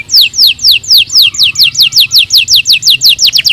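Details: Canary song: a loud, steady run of fast, high, downward-sweeping whistled notes, about two per second, with a brief faint lower tone in the background.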